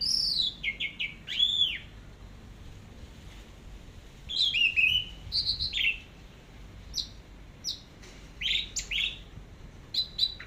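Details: Orange-headed thrush, teler song from a tutor recording: scattered phrases of bright whistled slurs and sharp high chirps, broken by quiet pauses of a second or more.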